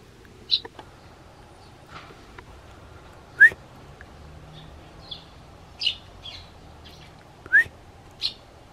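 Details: Pet sparrow answering its owner's whistling: brief high chirps scattered between two clear rising human whistles, the bird calling back after each, in a quiet room.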